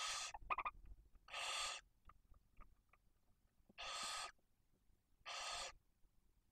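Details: Barn owl nest in Cabañeros National Park, Spain, with a female, two chicks aged one and four days, and a male delivering prey. Breathy, hoarse hisses of about half a second sound roughly every one to two seconds, with a few soft ticks between.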